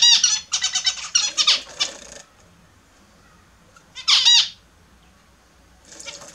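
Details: Pet Australian zebra finches at their morning bath utter dense strings of nasal, buzzy beeps for about two seconds. After a lull, one short sharp call cluster comes near the four-second mark and a fainter one at the close.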